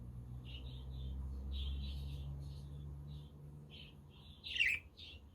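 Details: Pet budgerigars give soft, short high chirps spaced irregularly, then one louder scratchy note, over a low rumble from a windy day. A quaker parrot and a conure share the background.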